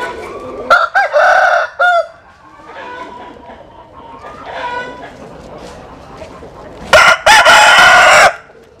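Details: Two loud rooster crows at early dawn among chickens sunning in the morning, each harsh and drawn out with a slurred tail, separated by quieter clucking and murmured fowl calls.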